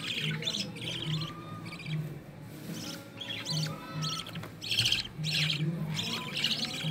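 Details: Growing green-series budgerigar nestlings, including an opaline carrier, being fed by the mother; harsh, pulsed rasping calls repeat in irregular bursts about once a second, with a faint low drone beneath.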